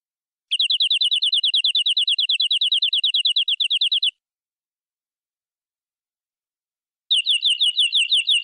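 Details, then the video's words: Local forest canary singing full-fill master song with ornate melodic turns: a long rapid trill of repeated high notes, then a three-second pause before another similar trill begins. The background is clean. "Suara Burung Kenari Lokal Full Isian Durasi Panjang Agar Cepat Gacor!"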